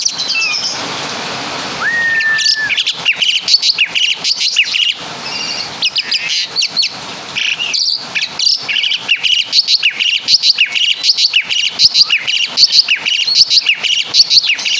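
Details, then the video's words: Asian pied starling from Java in full mimicry song copying other birds, a brief rising whistle then dense, fast, high chattering and trilled notes that continue without break to the end. "Burung Jalak Suren Full Suara Kapas TembaK"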